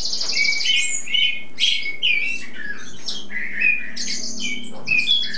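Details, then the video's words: Spring song of a tutor bird that sings nonstop: high buzzy trills alternate with clear whistled slurs and chirps in short varied bursts. "primavera cantando por horas sin parar!"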